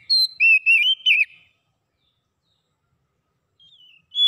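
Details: Oriental magpie-robin song meant to get a silent bird singing: a few quick whistled, warbling notes, then a long silence and one last high whistle at the end.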